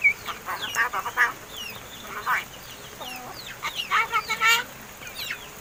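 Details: Hand-raised crested mynas, over seven months in captivity, starting to talk: scattered bursts of bright slurred whistles and harsh chatter, with a brief harmonic tone near the middle and a quieter gap between.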